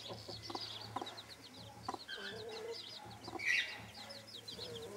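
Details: Broody bantam hen with chicks: a few spaced clucks, high chick peeping in runs, and one louder squeaky chick call midway, over a low background hum.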